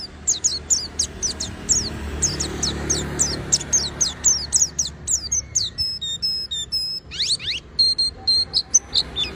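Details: Oriental white-eye singing without pause, a fast stream of high sharp downward chirps followed by level whistled tones and a few rising sweeps, over low background hum.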